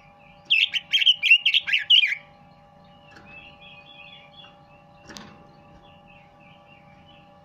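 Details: Red-billed leiothrix singing a loud, rapid phrase of rich warbling whistles lasting under two seconds, followed by faint distant chirping and a single knock against a low steady hum.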